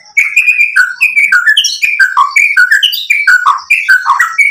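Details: Continuous White-rumped shama song meant to draw another bird into singing: rapid series of looping whistled phrases, each a quick down-slur followed by upward flicks, with thin high overtones throughout.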